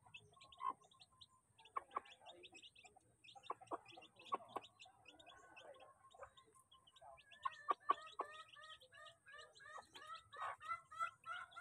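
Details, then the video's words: Many chicks feeding together, a steady chorus of short high peeps with scattered sharp clicks and lower chirps, growing denser and louder in the last few seconds. "crowd of chick chick feeding"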